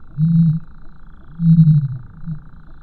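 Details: Common ostrich (Struthio camelus), call.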